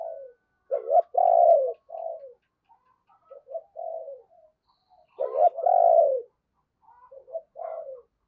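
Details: Spotted dove used as a decoy to call in wild birds in the morning, giving deep rolling coo phrases built around a long loud central note, twice in eight seconds, with soft twitters behind.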